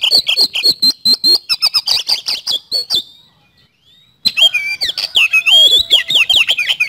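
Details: Song of a white-rumped shama: a steady series of loud, sharp repeated chips for three seconds, a brief pause, then a fast varied sequence of slurred whistles and buzzy notes.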